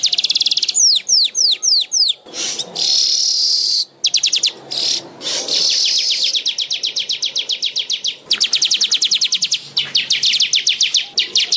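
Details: Weaver (manyar) alternating harsh, wheezy buzzes with rapid bursts of high clicking notes, sweeping chirps at the start and dense chattering trills later.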